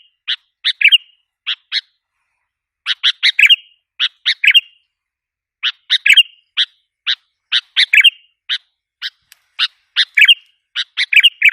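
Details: Sooty-headed bulbul calling as a lure for wild bulbuls: evenly spaced clipped chirps in small clusters, sometimes ending in a slurred twittering note, repeated steadily across the stretch in a quiet setting.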